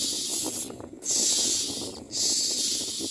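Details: Hungry common myna chicks, fed in the mouth, let out two long, loud hissing screeches separated by a brief pause, with steady low rustling beneath.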